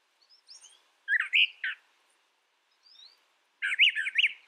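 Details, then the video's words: Singing brown thrasher giving a varied series: soft high notes, then loud rough slurred phrases, a faint pair of thin whistles, and a final rapid zigzag warble. "Brown Thrasher Bird Sound, Bird Song"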